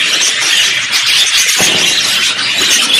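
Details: Budgerigars singing in a blend of contact and courtship songs; continuous bright, scratchy warble with squeaks, and a single soft low knock midway.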